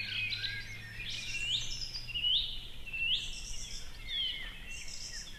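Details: Osprey at a nest in Võrumaa, South Estonia, in 2021, near a river and fish farm; sharp upslurred whistles repeat about once a second over a steady low engine-like hum.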